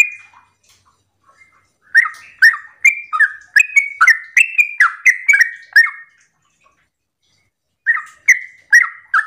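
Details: Yellow-vented bulbul (trucukan) singing an energetic, continuous 'ropel' style morning song, used as a lure to prompt other bulbuls to answer. Bubbly, fluty notes rise and fall in rapid phrases of about three notes per second, with a pause before the next burst.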